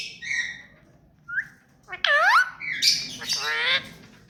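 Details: Hand-tame pet ring-necked parakeet vocalizing: a few soft short notes, then loud harsh, harmonic squawks with sweeping falling and rising pitch, ending in a raspy chattering burst.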